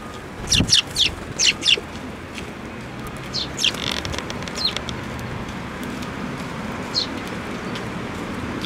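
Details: Sparrows approaching a hand for food at a Tenmangu shrine, 7 May 2024, with a quick run of five sharp chirps early on, then sparser single chirps and a soft flutter over continuous background noise.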